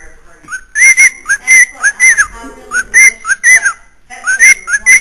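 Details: Pet bird kept upstairs in a house in Illinois, whistling clear tonal notes that rise, then dip and rise again, given in pairs and short bursts with brief pauses, in a quiet indoor room.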